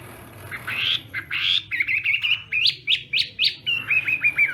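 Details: Chinese hwamei singing in morning voice practice for fighting-style song contests: a run of loud, clear whistled notes, then sharp rising slurs repeated about twice a second, ending in a fast rattling trill.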